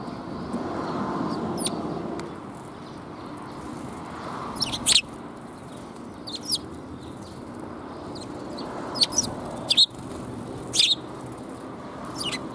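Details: Sparrows gathering to be fed on 13 February 2021, heard on the outward walk: scattered bright chirps arriving in small bunches every few seconds, with a low murmur of background noise between them.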